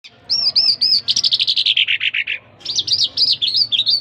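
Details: Jal singing: sweet, arched whistled notes, a rapid buzzy trill sliding downward, then further looping whistled phrases, clear and close.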